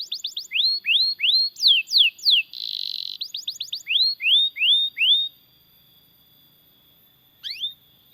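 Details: Loud ngerol rolling song of a canary, a long song used as a model to train other canaries and prompt them to sing: sweeping downward whistles in quick regular series, a buzzy note in the middle, then silence and one last swoop.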